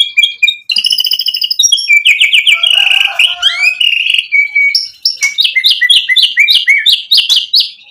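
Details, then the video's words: White-rumped shama in full, vigorous song meant to provoke rivals into answering: a fast medley of high whistles, buzzy trills and repeated chattering notes in a dense, varied run with no pauses. "MURAI BATU GACOR bikin EMOSI lawan jadi NYAUT BUNYI BONGKAR MATERI ISIAN cocok buat PANCINGAN murai"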